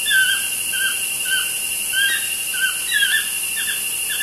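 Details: Two toucans chatting outside a studio window: short squeaky, downward-slurred croaks repeated about twice a second over a loud constant high hiss and hum.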